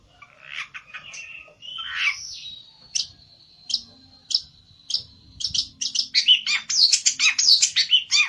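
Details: Olive-backed tailorbird looking for a rival in an agitated state, with scratchy warbling, spaced piercing notes over a thin whistle, then an accelerating loud series of ringing chirps.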